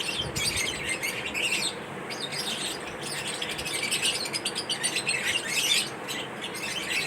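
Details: Chirping lovebirds in a mating ritual: dense, high, twittering chatter in rapid overlapping bursts that swell and fade over several seconds, over a constant low hiss.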